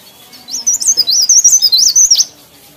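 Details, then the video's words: Leaf warbler singing actively: one bright, high phrase of about a dozen quick, thin, up-and-down notes, evenly pulsed and lasting under two seconds, with quiet surroundings. "CIKRAK DAUN | PARE PARE | BLERENG GACOR"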